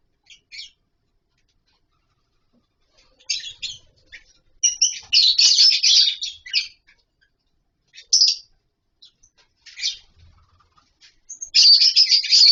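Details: Scattered bursts of shrill, piercing chirps come from a captive lovebird colony housed with wooden nest boxes and mud bowls, separated by quiet gaps, with a longer loud burst near the end.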